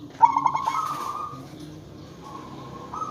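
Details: Zebra dove (perkutut), a local bird kept as a caller to make wild zebra doves respond, gives a brief run of rapid stuttered coos ending in a sustained rising coo, then another long coo later.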